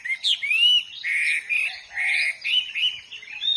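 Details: Hwamei in the wild delivering loud, full whistled phrases, long rising and wavering notes strung together with brief pauses, rich and melodious.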